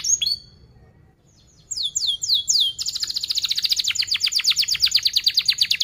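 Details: Canary song used as a lure for training young canaries: a short gap, then a few sweeping downslurred notes and a long, fast, dense roll of rapid chirps repeated about three times a second.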